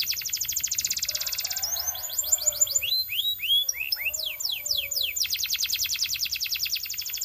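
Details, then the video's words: Belgian canary singing: a rapid rattling trill, a flurry of sharp slurred whistles and downward sweeps, then a long, loud, evenly repeated trill of high notes. "The Singing Canary Tempts All Canaries to Sing - Belgian Canary Singing"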